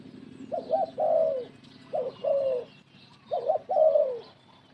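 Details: Spotted dove kept as a decoy for bird trapping, cooing three times: a short two-note lead-in then a drawn-out descending coo, with constant low background hum.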